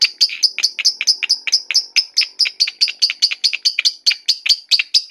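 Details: Ngekek song held for its length by a Batman-variety lovebird: evenly spaced, piercing chip notes, each with a brief downward sweep, roughly two to three per second.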